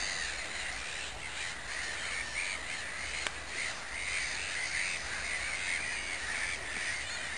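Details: Mediterranean gulls at Sophiapolder in the Netherlands, many calling together: a dense, continuous chorus of overlapping nasal, repeated mid-pitched calls under a steady background hiss, with no single bird standing out.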